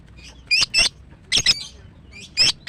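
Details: Captive female greater green leafbird singing, played to stimulate birds that stopped singing; paired high squeaky chirps arrive in three spaced clusters, each a quick double note, with quiet gaps between.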